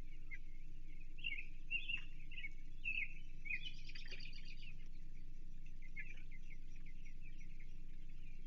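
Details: During feeding on an American shad at a Chesapeake nest, 28 June 2023, an osprey gives five bright, clipped chirps about half a second apart, then softer twittering, over a low hum.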